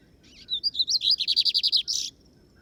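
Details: Lined seedeater, called bigodinho, singing during a keeper's field outing (campiada) in Brazil: brief twittering lead-in, then a quick series of about a dozen clipped, high, evenly spaced chirps ending in a buzzy flourish.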